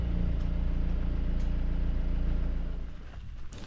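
A vehicle engine idles with a pulsing low hum, then fades out near the end, leaving quieter background noise.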